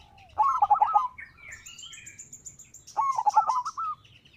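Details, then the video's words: Local zebra dove, its song used to provoke other doves to sing: two bubbly trilled cooing phrases about two and a half seconds apart, with scattered high twittering from other birds between them. "Perkutut lokal gacor suara mengundang lawan"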